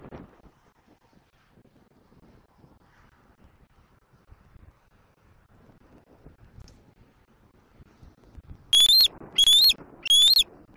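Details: A young bald eagle at a Southwest Florida nest calling for its mother in April 2024: near silence for most of the stretch, then three sharp, high, upslurred squeals close together at the very end.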